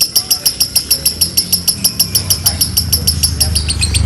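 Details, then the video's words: Lovebird in a long training-style trill: loud, sharp high chirps repeated steadily about four times a second for the whole stretch, with a low hum underneath. "Dobelan love bird konslet mewah"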